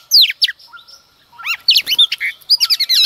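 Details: Early-morning song of a female Oriental magpie-robin meant to stir males: a sweeping descending whistle, a short pause, then a burst of quick, varied chirps and rising slurred notes.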